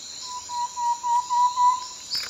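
Thrush-like Antpitta singing a quick run of about eight hollow, low whistles that swell in loudness. A steady high insect drone runs underneath.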